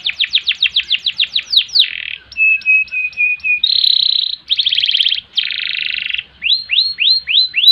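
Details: Long canary song in ngerek, ngerol and nembak styles, used for training and provoking other birds. It opens with a rapid series of falling notes, then a steady trill, buzzy rolls and a dense roll, and ends with repeated sweeping notes. The background is clean.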